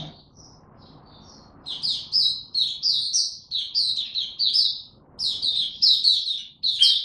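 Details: Buka tiong aw singing from an Oriental white-eye being brought into form, 3 January 2022: after quiet low hum, faint notes grow into lively rapid high twittering phrases, pausing once before continuing.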